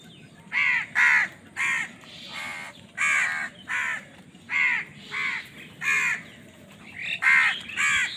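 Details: Harsh caws from crows competing for food, about a dozen rasping calls in roughly regular succession, each short and nasal, the last few running together.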